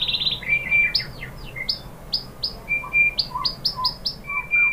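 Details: White-rumped shama song for provoking rival birds to sing: crisp, downward-flicking high whistles in short bursts, mixed with lower level whistled notes, spaced irregularly and moderately loud.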